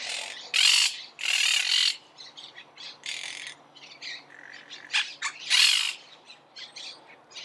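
Monk parakeets give loud, harsh, grating screeches in bursts about half a second long, with softer chattering squawks between them.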